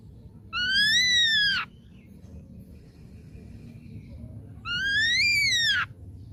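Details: Ashy drongo, a young bird taken from the wild, giving two long, rich whistles about four seconds apart, each slightly arched in pitch and falling at the end, over a quiet low rumble.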